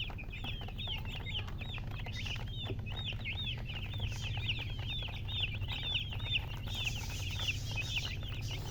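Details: Baby chickens chirping: a dense, continuous stream of high peeps, each a short rising-then-falling whistled note, overlapping from several chicks, over a steady low rumbling background.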